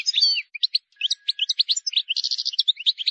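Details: A wild European goldfinch gives an error-free song intended for teaching young goldfinches. It is a continuous, rapid, liquid twitter of varied chirps with a brief buzzy rattle in the middle.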